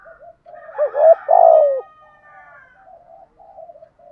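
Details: Spotted dove 'thổ' coo used to stir up rival wild doves: soft low lead-in notes, then a loud hooked note and a long, husky, slowly falling coo, fading into quiet trailing coos.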